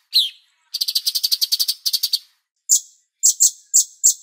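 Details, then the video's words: Bulbul (cucak cungkok) on a master recording for training songbirds: a slurred whistle opens, then a fast rattling trill, then a handful of separate sharp, high chip notes spaced irregularly. "MASTER CUCAK CUNGKOK Jeda Terapi Air"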